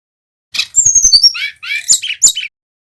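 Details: Male brown-chested jungle flycatcher from Bali, singing in a lively rolling style, used as a lure to prompt other birds to sing. A rapid burst of high chips runs into bright whistled slurs sliding downward, ending in sharp high notes.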